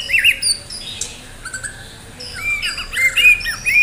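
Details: White-rumped shama of the Medan type singing actively, in contest-ready form: loud, high whistled notes and chattering phrases, a quieter pause mid-clip, then a rapid burst of bright varied whistles.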